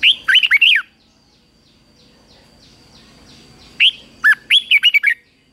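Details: Red-whiskered bulbul singing its competitive fighting song during morning training for wild-caught birds. Two phrases of four to six quick, liquid, up-and-down whistled notes are separated by about three seconds of near silence. A steady faint high tone lingers.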